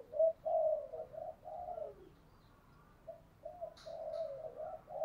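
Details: Decoy spotted dove cooing to stir wild doves to fight; a string of soft, low coos with a hissing background and brief high chirps from another bird.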